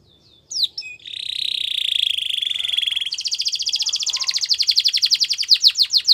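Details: Canary singing, presented as wild song for training young canaries: a few short notes, then a long steady buzzy trill, breaking into a fast rolling series of repeated notes that slow and grow louder toward the end.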